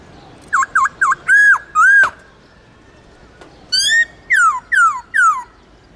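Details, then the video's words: White-cheeked laughingthrush from the Central Highlands sings its wild-type song: three quick clear V-shaped whistles, two longer arched notes, then after a pause four loud down-slurred whistles, all rich and ringing. "khướu bạc má Hót Giọng Rừng"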